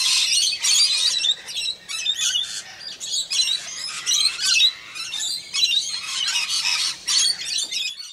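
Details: Wild rainbow lorikeets in Australia while bathing, a flock giving harsh, shrill screeching calls in dense overlapping bursts through the whole recording, with brief pauses between bursts.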